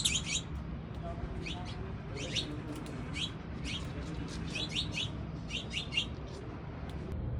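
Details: Sparrows in the morning chirp repeatedly, giving sharp high chips in small clusters about every half second, over a steady low background hum.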